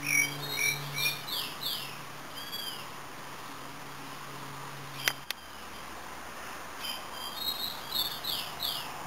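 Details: Pileated finch (tico-tico-rei) singing: bursts of quick, arched, high chirps repeated in short series, pausing midway and resuming. A steady low hum runs through the first half, with two sharp clicks in the middle.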